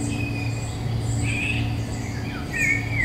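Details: Woodland Eurasian golden oriole in May 2021, taken with a Nikon Coolpix P1000. Soft, scattered whistles end in a clearer downward-gliding fluty phrase. A low hum and distant high chirps fill the background.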